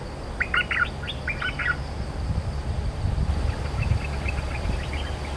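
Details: Cream-vented bulbul, a territorial bird countering another's song: a hurried chattering phrase of rising and falling notes, then fainter distant notes, with low rumbling noise throughout.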